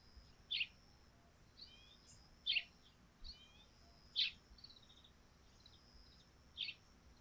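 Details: Sparrows chirping in the morning on a dew-covered thatched roof: short, bright chirps, single or doubled, come every second or two, with quieter twittering between them over a soft outdoor hiss.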